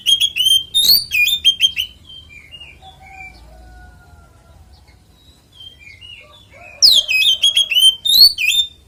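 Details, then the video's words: Oriental magpie-robin singing a fighting song meant to spur other magpie-robins into song; fast piercing whistled phrases, a gap with faint scattered notes and a low whistle, then renewed loud rapid sweeping chirps. "SUARA BURUNG kacer gacor NGEPLONG TARUNG konslet ini PALING AMPUH buat PANCINGAN KACER cepat GACOR"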